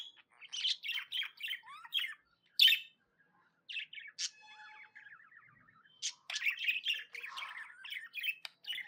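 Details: Pet budgerigar chirping happily: bursts of bright, buzzy chirps and warbles, then a short pause and a thin harmonic whistle, followed by more rapid chattering twitters.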